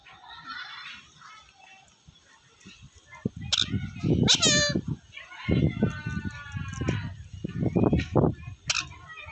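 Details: A pet rescue talking parrot near a mango tree chatters in speech-like bursts broken by sharp, high squawks; the voice is hard to tell apart from nearby human talk, and a "meow" is heard.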